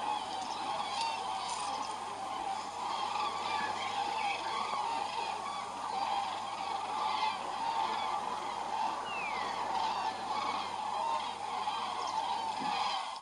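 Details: Northbound common crane flock in February: an unbroken chorus of loud overlapping trumpeting and honking calls lasting over thirteen seconds, with a steady low hum beneath and a single sliding whistle midway.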